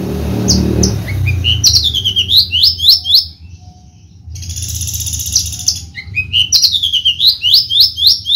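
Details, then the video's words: Prize-winning Javan Horsfield's bushlark: varied phrases of downslurred and upswept whistles, a rattling high buzz in the middle, and renewed quick whistled notes toward the end. "KICAU MERDU BRANJANGAN JAVA"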